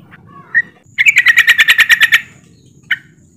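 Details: Several yellow-vented bulbuls in a rapid ropelan chatter, played as a lure to get birds singing: a brief whistled note, then a fast run of about a dozen sharp, harmonic-rich chirps over one second, and a final lone chirp.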